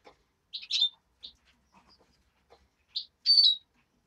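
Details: Hand-reared European greenfinch chick calling in a quiet room: short, bright, slightly buzzy chirps, one pair near the start and another pair toward the end, separated by near silence.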